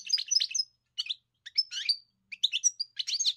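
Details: Short bursts of bright, high chattering and tinkling twitters from a singing European goldfinch, separated by brief silences.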